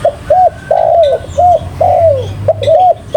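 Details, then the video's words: Spotted dove cooing loudly and persistently: low, hollow coos in short arched notes alternating with longer downward-sliding ones, packed closely together, with faint higher chirps of other birds behind. "Burung Tekukur Paling Gacor"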